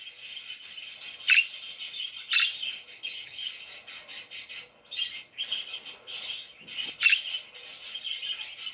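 Parakeets chatter in a steady scratchy, high-pitched warble, with louder sharp squawks breaking through about every second or so.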